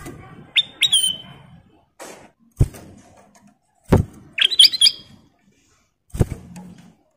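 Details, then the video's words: Caged golden bulbul (kutilang emas) recorded as a master for training other birds: two whistled phrases and a jumbled burst of bright notes, with sharp knocks and clunks between. "Suara Siulan Burung Kutilang Emas Masteran Istimewa"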